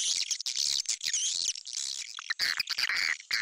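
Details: Swiftlet call recording played to attract swiftlets into a bird house: dense, high twittering chirps and squeaky trills, overlapping in rapid bursts with brief gaps between them.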